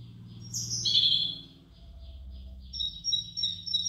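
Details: A small bird at a rice field with the rice just coming into ear gives high, thin chirps and twittering notes with a brief higher whistle early on, over a soft low rumble.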